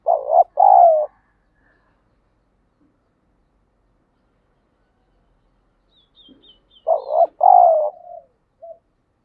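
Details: Captive spotted dove trained daily as a decoy to provoke fighting: a loud two-part coo, a short hoot then a drawn-out falling coo, repeated after a long pause, with faint high chirps just before the second phrase.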